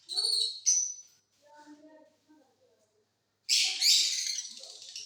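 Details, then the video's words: Caged mutation lovebirds singing during the off season in a flying cage: a shrill buzzy chatter, a pause with faint low voices, then another loud, harsh, rasping burst of chattering. "Love birds Mutation singing during off session"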